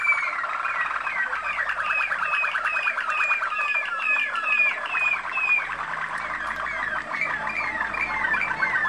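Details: Malinois Waterslager canary bred in Kumanovo, Macedonia, producing a steady stream of quickly repeated looping notes in a bubbling, rolling trill throughout.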